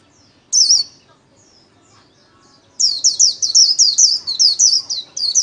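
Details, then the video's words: White-eye singing 'líu' solo for daily training of pet songbirds: one bright squeaky note, faint twitters, then a loud, rapid train of high, slurred, whistled chirps. "KHUYÊN LÍU SOLO RẤT HAY - LUYỆN KHUYÊN LÍU MỖI NGÀY"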